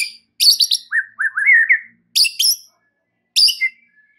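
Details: Song of a white-rumped shama played as a lure to excite other shamas: a harsh, crackling high burst, then a run of rising whistled slurs, followed by two more short raspy bursts with silence between.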